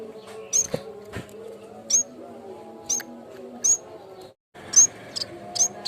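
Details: Bamboo warbler song as a lure sound for training songbirds: very high, thin, piercing whistled notes, each a brief upward flick, spaced about one second apart, with fainter clicks between and a steady low background hum.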